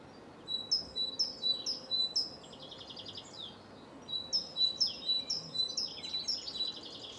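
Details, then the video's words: Great tit singing in Cambridge, UK, on 24 March 2020 at 2:01 pm: two bright, high phrases of quickly repeated two-note 'teacher-teacher' motifs, with a pause between them over a soft background hiss. "Great tit bird singing call"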